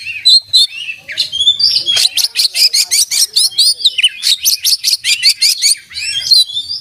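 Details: Oriental magpie-robin pouring out song with open beak, full of fill-in and master phrases: a few opening whistles, then a long, rhythmic run of rapid staccato notes with whistled flourishes between them.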